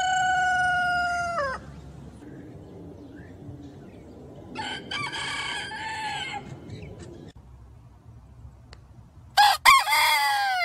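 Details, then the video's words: Rooster crowing amid steady background noise: the end of one crow with a falling tail, a fainter rough crow in the middle, then a loud, abrupt harmonic crow near the close. "Cock Sound"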